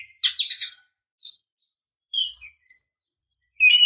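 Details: Female oriental magpie-robin calling to goad a male into song: one harsh, buzzy burst, followed by a few soft, scattered whistled notes and a brief scratchy ending.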